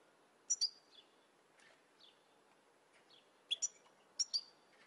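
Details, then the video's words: European goldfinch from a training recording: a few short, high, thin chirps in two quick clusters separated by pauses, with scattered fainter notes against a soft, steady background hiss. "Goldfinch From Training Video"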